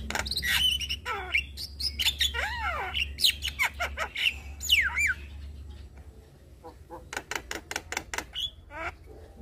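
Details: Black-winged starling singing to stir quiet starlings into song: loud squawks, scratchy rasps and swooping whistled notes in a busy run, then a softer stretch of clicking, chattering notes, with a low hum underneath.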